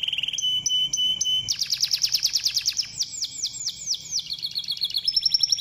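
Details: Canary song meant to stimulate canaries to sing: a rapid sequence of high trilled phrases, opening with a steady buzzy tone, then fast repeated notes and a run of descending sweeping whistles, ending in a rapid high trill.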